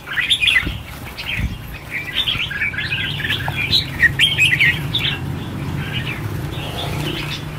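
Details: A mass release of 1000 red-whiskered bulbuls gives a continuous tangle of sharp chirps and warbled phrases over a low rumble.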